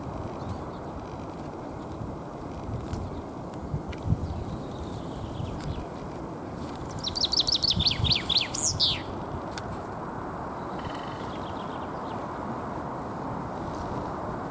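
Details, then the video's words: Common chaffinch singing in spring to defend its territory, Alexander Park, Pushkin, Saint Petersburg, Russia, 17 April 2021: one bright descending trilled phrase of quick repeated notes lasting about two seconds, over steady low traffic rumble. "Весенняя песня зяблика."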